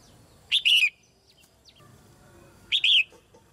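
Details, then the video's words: Caged female red-whiskered bulbul, singing to stimulate young birds; two loud whistled two-part phrases about two seconds apart, with faint soft chirps in between. "นกหัวจุก-birds - Ep.57 - นกตัวเมียร้องเพลงในกรงเพื่อกระตุ้นให้นกที่โตใหม่ร้องเพลงมากขึ้น"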